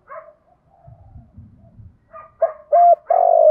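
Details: Spotted dove calling for luring and training decoys: low rustling and soft distant notes first, then rising into clear coos, a short note, a firm coo and a long descending coo at the end.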